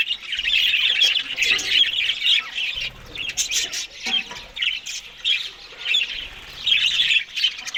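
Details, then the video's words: Australian budgies eating green food in the morning: steady high chattering of several birds, scratchy warbles mixed with clipped squawks, rising and falling in bursts roughly every second or two. "Australian Budgies morning Eating Green Food"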